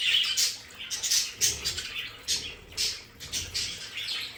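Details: Several domestic budgerigars in a play area give scratchy, buzzy chatter with short high chirps in uneven bursts and quieter gaps between them.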